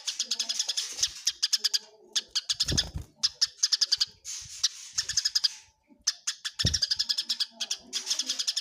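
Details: Eurasian tree sparrows fighting: bursts of fast, shrill chirping that start and stop every second or two, broken by short silences and a couple of dull low bumps.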